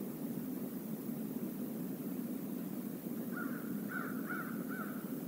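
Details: A murder of crows at the Decorah North eagle nest stream area, 28 November 2021, captured by live camera: three or four loud, grating caws near the end, over continuous low rushing noise.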